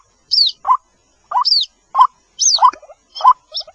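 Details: White-breasted waterhen chick calls for the mother bird, lure recording: sparse paired notes, a high, downslurred squeak followed by a short rising mid-pitched call, repeated about every second.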